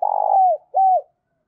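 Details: Decoy spotted dove used to lure wild doves: a trembling, rolled low coo slides down into a drawn note, then one more mellow falling coo follows, all in a quiet setting.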